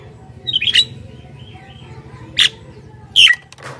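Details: Javan myna singing to draw in wild mynas: a chattering whistled phrase with a harsh edge, followed by two separate loud rasping squawks, over steady low hum.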